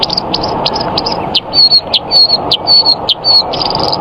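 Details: White-eye singing high, sharp chirps and short thin whistles over a steady low hum, with faint mechanical background noise throughout.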